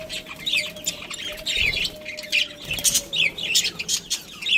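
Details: Breeding pair of budgerigars giving high, scratchy chirps and squawky twitters in uneven bursts, a low thump or two and a faint steady hum behind.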